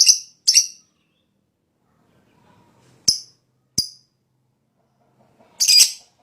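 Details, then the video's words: Fighter lovebird in strong breeding condition giving lure calls: two quick shrill chirps, a pause, two sharp clicks, then a longer rasping chirp near the end. "Pancingan LoveBird Males Bunyi,LoveBird Fighter Ngetik Ngekek Panjang"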